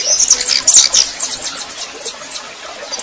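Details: Captive female red-pileated finch warming up and singing in male fashion: rapid high chirping notes crowd the first second, then sparser thin chirps and ticks follow over a soft background hiss.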